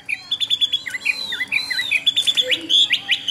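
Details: Chinese hwamei from a Vietnamese seller, noted for singing well, repeats clear piping notes in quick series mixed with dipping slurred whistles, forming a bright, varied phrase.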